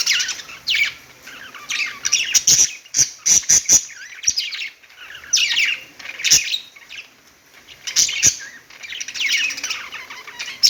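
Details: Pet budgies chirping on a perch: warbled chatter phrases alternating with quieter gaps filled by a quick series of sharp clicks and taps.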